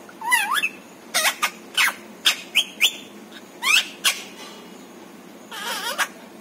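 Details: Talking pet parrot with words like papa and mummy; a rising squeaky phrase, a run of sharp clipped syllables, then a final wavering speech-like burst indoors.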